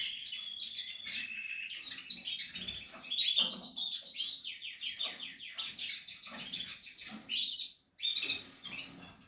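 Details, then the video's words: Captive-bred canary nestlings of the Portuguese harlequin type, chirping in rapid high trilled series and squeaks, with a brief pause near the end before calling resumes. "canary chicks"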